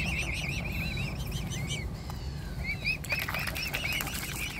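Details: Mute swan cygnets fed by hand give clear quavering peeps in a quick string, then a pause, then more peeps with splashing and pattering.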